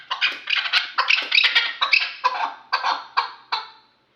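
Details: Three-year-old hunting chukar partridge from Kulob giving loud, grating chuk bursts, several in quick clusters, then slowing to single spaced notes before stopping.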